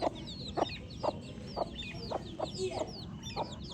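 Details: Chirping baby chicks: steady stream of high descending peeps from several birds, with regular sharp clicks roughly every half second underneath.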